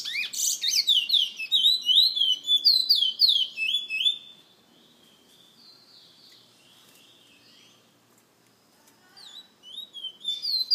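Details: In San Fernando, a kept bullfinch from a bird lovers association opens with a dense, fast run of whistled warbling notes, falls quiet for several seconds, then resumes with brief sweet phrases.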